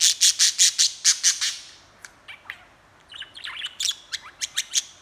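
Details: Budgie talking and chattering: a run of eight loud, harsh high squawks in quick succession, then quieter scattered chirps and clicks leading into bright twittering notes.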